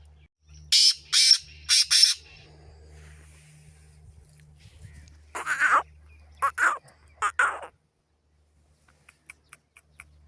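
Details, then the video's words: A Black francolin (desi kala teetar) from Hanguwal, Pakistan, gives harsh, grating, rasping notes: three quick bursts, a pause, then three lower, hoarser bursts, over a steady low hum. "Desi Kala Teetar ki Awaz"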